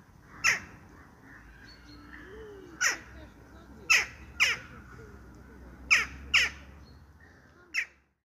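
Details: Western jackdaw calling with short, hard, high-pitched yelps that drop quickly in pitch, spaced irregularly with some close pairs, against a quiet background with a faint low rumble.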